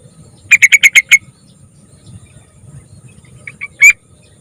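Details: Young yellow-vented bulbul in a lure recording meant to prompt other bulbuls to sing: a quick run of six sharp, clipped chirps, then a pause, then three shorter chirps ending in a louder harsh note. Faint low background hum.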